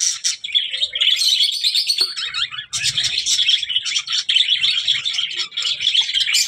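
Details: Budgerigar giving a fast, scratchy, warbling chatter of chirps and trills, nearly continuous with brief pauses, high-pitched and busy throughout.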